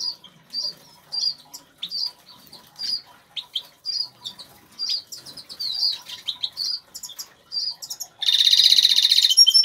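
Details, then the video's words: Caged Major goldfinch, agate colour, singing in an aviary: a long series of short, high twittering chirps at about four per second, ending in a loud, harsh buzzy trill. "zingende Major Putter of wel singing Goldfinch"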